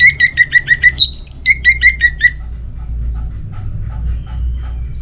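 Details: Orange-headed thrush (anis merah), a kept songbird, in loud full song. It gives a fast series of about a dozen short whistled notes, mostly repeated, with one higher twisting note midway. Quiet background hum and faint distant chirps follow.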